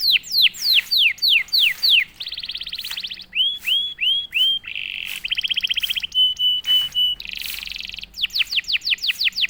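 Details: Canary, a quiet bird that starts singing right after being prompted, delivers a loud varied song: a run of high descending whistled sweeps, a buzzy rattling tour, short rising notes, rapid trills and a steady whistle, ending in fast repeated sweeps.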